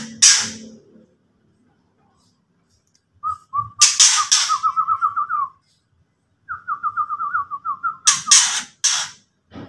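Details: Ketrekan of a white-rumped shama, used to provoke rivals: harsh rasping bursts mixed with two fast series of short, clipped whistled notes, each run about two seconds long, separated by a brief silence.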